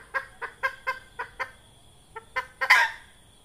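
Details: Hen red junglefowl clucking, used to lure birds for trapping: six brisk, nasal clucks in steady rhythm, a short gap, then three more ending in a loud, harsh, drawn-out squawk.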